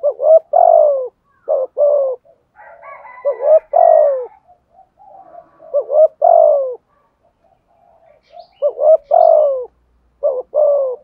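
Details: "Thúc gù" cooing from a decoy spotted dove with a "giọng thổ" voice. Rapid phrases come one after another, about five in total. Each has short stammered notes and a long sliding hoot, with softer coos in the pauses.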